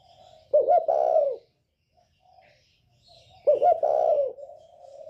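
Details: Spotted dove of the northern type, with a 'còi bổi ghét' voice used to provoke other birds: two low coos, each two short clipped notes and then a long drawn-out note, about three seconds apart, in quiet surroundings.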